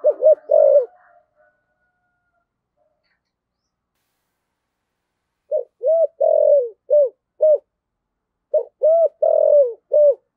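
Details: Decoy spotted dove with a 'thổ sấm' style voice, calling hard; a brief coo opens, then after a pause two rapid phrases of short low hooting coos, each with one longer drawn-out falling note.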